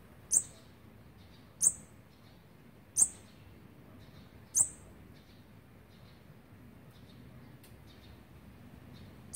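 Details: Olive-backed sunbird chicks on the twelfth day of feeding, 29 September 2019: sharp, very high single chip notes, repeated roughly every one to two seconds, seven in all, over faint low hum.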